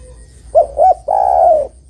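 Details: Spotted dove female calling to a male, used as a lure: one call made of two short coos and then a long, smooth, slightly descending coo.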